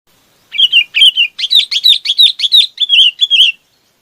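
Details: Chinese babax calling to its flock: a quick run of about a dozen harsh, chattering notes, each a bright slurred chirp, delivered in a steady burst lasting three seconds with no other sounds.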